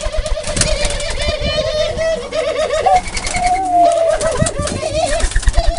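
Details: Doves cooing in a low, wavering, throaty hum that runs almost unbroken, with brief rises and dips in pitch, over busy higher chirping from other birds and some low rumbling noise.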